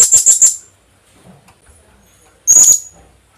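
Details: Philippine hanging parrot (Loriculus philippensis) lure call, used to attract other hanging parrots: a quick burst of four shrill, very high squeaky notes, then after a pause another short, sharp shrill burst.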